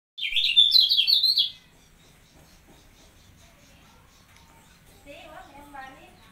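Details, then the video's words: Caged kecial kuning (white-eye) in mental training, placed close beside another bird: a loud burst of rapid, high twittering notes lasting about a second and a half, then near quiet with soft lower chirps near the end. "Melatih Mental Kecial Kuning Dengan Cara Di Tempel"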